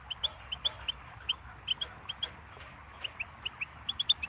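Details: Goldfinch song: short, high chirped notes spaced irregularly, some in quick pairs, over a steady low background hiss.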